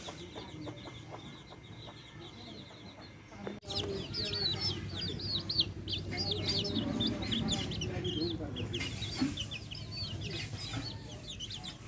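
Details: Backyard hens and chicks: soft hen clucks at first, then a dense chorus of thin, high, rising chick peeps over continuous low background noise.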